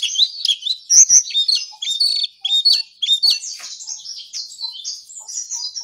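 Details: ['Brown songlark in energetic morning song, pouring out quick, high, jumbled chirps and trills in short bursts that fade slightly toward the end.']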